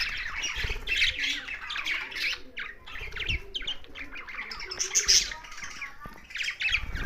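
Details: Budgerigars and parrots together in Larkana, Sindh: uneven twittering chatter with shrill chirps, a few higher whistled squeaks, and low thumps and handling noise in between.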